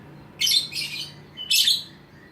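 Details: Two-and-a-half-month-old pastel blue young lovebird in fighter-style training with an adult lovebird: three grating, buzzy squawk bursts in quick succession, the last after a brief pause, indoors.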